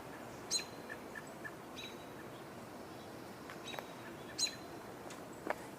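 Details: American robins, on 7 July 2021 as it grows darker, give a few sharp, high, thin calls spaced a second or more apart over steady outdoor hiss; perhaps vocalizing because of a hawk perched on a lamppost.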